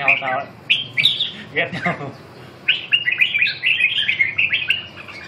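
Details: Red-whiskered bulbul, fourth-place winner at a Hai Phong singing competition: a few harsh notes and human voices open the passage, followed by a steady string of bright, bouncy warbled notes.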